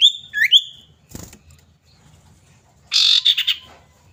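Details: Female common iora calling a male, used as a lure to set other birds singing: two sharp whistled notes sweeping up and down, a thud, then a harsh rasping burst of chattering notes.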